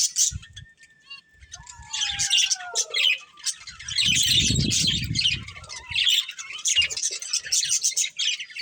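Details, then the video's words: Budgie breeding pair chattering with scratchy high warbles; two long slurred descending whistles early on, then a loud low rumble of movement around the middle while the chirping continues. "Cute Budgies Chirping Sounds"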